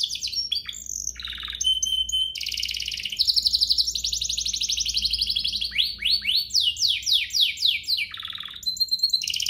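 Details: Canary song meant to excite other canaries into singing: varied phrases of buzzy rolls, pure whistles, long rapid trills, and a cascade of falling swept notes, delivered nonstop and bright.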